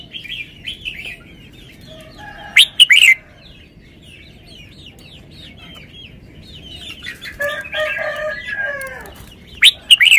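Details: Red-whiskered bulbul kept in a cage performs its song style: a loud ringing phrase of two bursts, soft chattering chirps, then a long descending warbled run and more sharp, explosive notes at the end.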